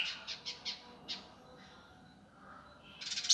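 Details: Indigo Flycatcher master for training birds, rough gavor delivery: four quick buzzy high notes, a pause, one more, then a loud harsh rattling burst closing the phrase.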